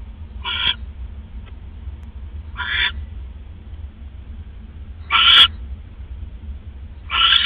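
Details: Owl in a nest at night, 5 October 2015, 3:40 AM, after prey, a rat, is brought: four harsh, breathy rasps spaced about two seconds apart, the third loudest, over a low constant hum.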